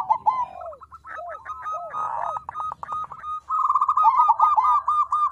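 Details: Zebra dove of the crossing type, played to coax other doves into song: dense, overlapping rolling coos and short descending notes, ending in a long run of rapid staccato cooing.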